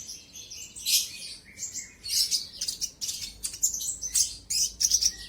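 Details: Sunbird (konin, kolibri ninja) song used as a lure to provoke a rival bird into singing. High, scratchy chirps and buzzy bursts come in short clusters separated by brief pauses, with a faint low hum beneath.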